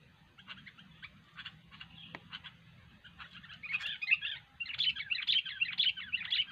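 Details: Sooty-headed bulbul in full voice: spaced faint chirps at first, then a louder stretch of rapid, bubbly whistled notes repeated about twice a second, with a faint low hum beneath.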